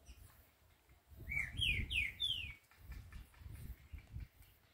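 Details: Green-winged saltator singing a quick run of four clear, downslurred whistled notes, each falling in pitch, over a low rumbling background.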